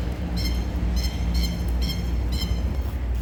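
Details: Masked lapwing in Australia, beside a bulldozer repair job, gives four harsh, strident notes about half a second apart over the steady low rumble of heavy machinery.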